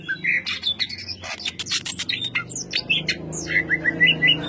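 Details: Greater green leafbird in ngentrok song, packed tightly: a short whistled note, then a burst of sharp clicks and high chirps, ending in a string of rising, wavering whistles, with a faint background hum.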